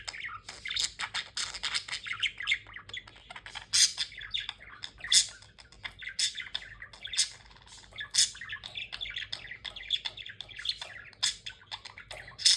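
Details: Black-faced budgerigar chattering in a busy stream of high, scratchy warbles and sharp squawks.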